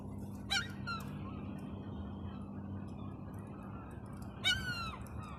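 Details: A seagull attracting pigeons gives two loud, harsh, falling squawks about four seconds apart over a steady low hum of background noise.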